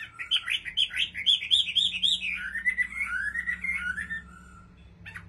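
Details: Rapid rolling notes, nearly four per second, from a caged Chinese hwamei in Bình Định, sliding into a descending warble before a brief pause; a faint low hum runs underneath.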